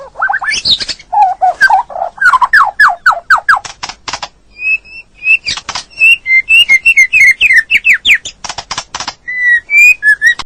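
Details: White-rumped shama song recorded to train a stressed bird that stopped singing: chattering runs of slurred notes, sharp clicking bursts and short clear whistles in quick succession.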